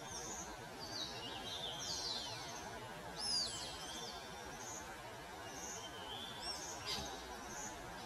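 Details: African paradise flycatcher in Kenya giving scattered high, thin chirps and short whistled slurs over about eight seconds, against a steady low rumble of background noise.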